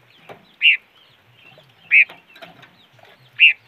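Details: A bird known locally as the five-coloured bird repeats a brief, bright call three times at uneven gaps of over a second, against quiet background rustles.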